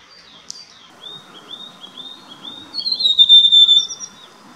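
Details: Rufous sibia in India, an orange arboreal foothill and montane forest bird: a run of thin whistled notes on nearly the same pitch, then a louder, slightly buzzy high phrase with a sharp high note near the start.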